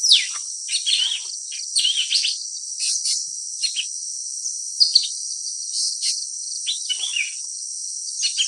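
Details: Blue-winged leafbird (Chloropsis cochinchinensis), call.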